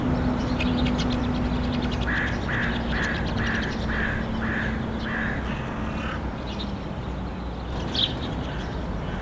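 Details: Syrian woodpecker chick at a nest beside a finance ministry building, one of three young fed by a pair amid city traffic; a series of about six short, even notes at half-second intervals over a steady low traffic rumble.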